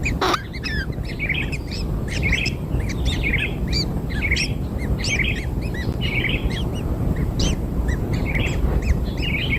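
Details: Kingfisher nestlings, newly hatched and being fed black insects, keep up busy, overlapping squeaky chirps in irregular bursts, with a sharp knock at the beginning and a steady low hum.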